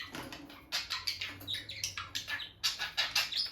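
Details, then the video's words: A bonded pair of peach-faced lovebirds at the nest box; sharp high chirps repeated in a quick rhythmic series, about three per second, after a quieter opening. "Parrot Chirping Sounds – Relaxing Lovebird Couple Vocalizations"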